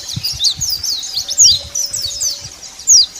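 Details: White-eyes of the Dakun Bali type, wild, calling rivals: sharp high chirps and quick downward-sweeping notes in short bursts, several louder notes standing out, against a faint hum and soft low knocks.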